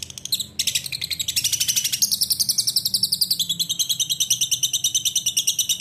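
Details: Lovebird giving a long ngekek chattering song: a fast, steady run of shrill, high, rattling notes, about seven per second, that continues unbroken for nearly six seconds after a brief opening phrase.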